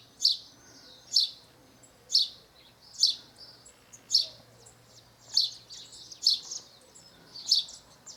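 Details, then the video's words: Wild house sparrow in Brazil chirping steadily: nine or so crisp, high chirps roughly one per second, fairly even in loudness, with a few quieter extra notes near the end and a low steady hum behind. "0 canto do Pardal na natureza"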